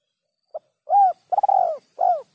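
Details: Spotted dove, clean 'kuk 3' call: a brief soft note, then a smooth arched coo, a long coo broken into quick pulses at its start, and a final descending coo, all mellow and mid-pitched.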